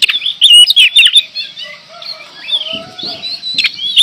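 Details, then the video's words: Oriental magpie-robin from Indonesia singing energetically: rapid varied whistled phrases, some sliding and some sharp, with short pauses and quieter low notes, plus a few dull knocking sounds. "Kacer gacor"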